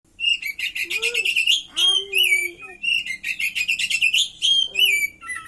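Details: Oriental magpie-robin singing actively, with a repertoire filled with cililin-style phrases: loud rapid bursts of sharp whistled notes, trilled and repeated in quick runs, broken by a few lower slurred whistles.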